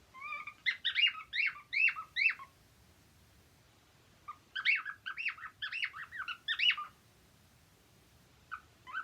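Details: A cockatiel sings happily in two bursts of rapid swooping whistles, each lasting about two seconds, separated by a quiet gap, with one short note near the end.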